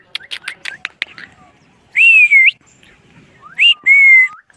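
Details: Pet rose-ringed parakeet in the afternoon: a few clipped high notes, then two long whistled tones that rise and level off, each about half a second, separated by quiet.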